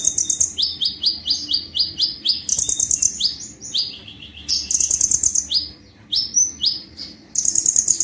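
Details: Konin, a sunbird, singing energetically: bright high trill bursts alternate with strings of sharp rising chirps, repeated in a fast, bubbling pattern throughout.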